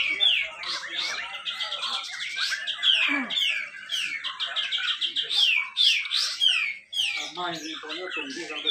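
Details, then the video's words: Dense contest song from a Grey-cheeked bulbul at a bird-singing event in Malinau, Indonesia, used to prompt reluctant birds. Fast runs of descending whistles and rough chatter, nearly continuous, with brief gaps. "cucak jenggot besetan rapet"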